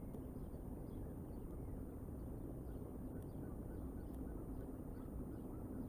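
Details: Quiet outdoor evening background of low rumble and faint hiss, with a few tiny clicks; no animal sounds.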